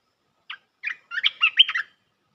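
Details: Bulbul sound used as a trapping lure, meant to bring the local territorial bird down. A lone short note, a second note, then a rapid chatter of liquid, warbled syllables, quiet background.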